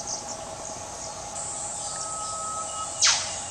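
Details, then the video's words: Australian whipbird calling to another bird from the undergrowth: a long, level whistle held for about two seconds ends in a loud, explosive whip-crack sweeping downward, with a steady hum underneath. "WHIPBIRDS - 'Cracking the Whip'"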